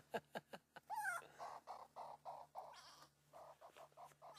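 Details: Upset grey go-away-bird screaming overhead at sunset on safari, 27 June 2016: harsh, nasal calls repeated several times a second, like a drawn-out 'go-away', after a few sharp clicks.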